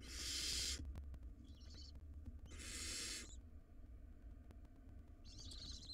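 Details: Wild barn owl nestlings in a monitored nest box, fighting in a tug-of-war over a very large rodent: three harsh, hissing screech bursts, the first and second long, with short, thin, wavering squeals between them and low background rumble.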